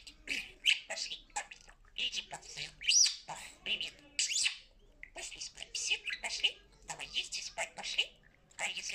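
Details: A pet talking parrot mimics speech in quick, high, scratchy bursts, with short phrases tumbling out and brief pauses between them.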